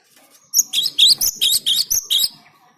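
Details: Song of a cinereous tit used as a lure: seven loud, high-pitched whistled notes in quick, even succession, each with a sharp rising flick, over faint low background sound.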